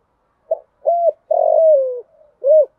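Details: Female spotted dove used as a decoy, calling to lure males, in the 'giọng thổ pha' style with one trailing note. A single phrase of low, hollow coos: a short note, a rounded coo, a long falling drawn-out coo, then a final coo.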